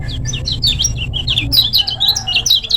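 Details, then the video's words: Lively song of a lemon-bellied white-eye from Lombok, short-speed style, used as master recording to train birds: quick bursts of high, thin twittering whistles with sweeping slurs, running almost without break above a low hum. "Suara Burung Kecial Kuning Gacor Tanpa Doping Untuk Masteran Kecial Kuning Lombok Speed Pendek"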